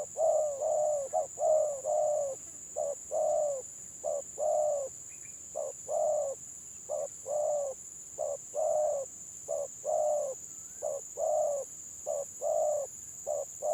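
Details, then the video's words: Stuttering-style ('gagap') village spotted dove in a two-bird comparison: long series of low, hollow coos, each phrase a quick stammer of clipped notes ending in a held coo, repeated steadily, with a faint high whine throughout. "BURUNG TEKUKUR GAGAP VS GAGAP"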